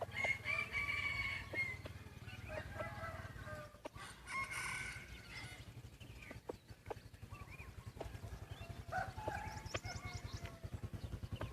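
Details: White-eared decoy chicken crowing: a long, harmonic, slightly falling crow in the first two seconds and another around four seconds, followed by scattered clucks and clicks over steady low background noise.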